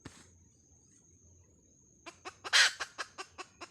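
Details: A hen calling: after a quiet start, a series of short clucks about every fifth of a second, with one louder, harsher note in the middle of the run.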